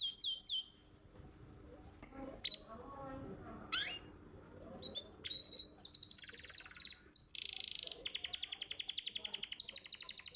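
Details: Champion contest canary master song: scattered sharp chirps and sweeps at first, then dense buzzy trills and rapid repeated notes filling the latter half.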